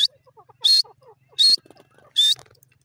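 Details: Francolin, known locally as teetar, giving three loud, rasping, high notes spaced under a second apart, with faint soft chirps and low hum between them.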